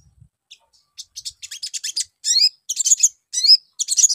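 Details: Ruby-cheeked sunbird song used as a lure for young birds: starts with a few soft chirps, then speeds into rapid shrill twitters and loud high warbled phrases.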